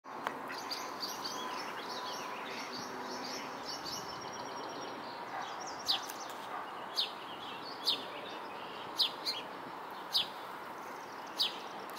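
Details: Red-winged blackbird giving sharp, dry check notes about once a second, over a steady rushing background with faint high twittering early on.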